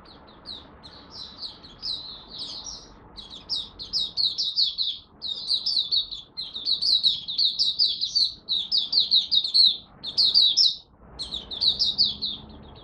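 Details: Malaysian oriental white-eye singing its buka sing warm-up, first of the day, 01/08/2023: sustained high, rapid chains of downslurred whistled notes, pausing briefly around the middle and near the end.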